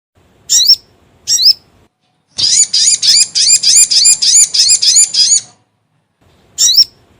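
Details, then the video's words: Sogon bird lure call used for trapping: two short high upslurred chirps, then a rapid run of about twelve sharp rising chirps over three seconds, and a final single chirp after a pause. "SUARA PIKAT BURUNG SOGON GACOR"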